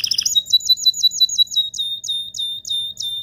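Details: Canary in strong mating song said to excite females, opening with a quick high trill, then steady repeated two-part whistled notes, clear and ringing, about three per second.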